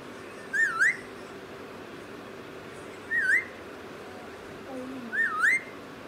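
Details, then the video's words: Methu parrot kept as a pet whistles three dip-and-rise phrases spaced roughly two and a half seconds apart, with a faint low voice-like murmur near the last one and steady background hiss. "methu full Punjabi talking"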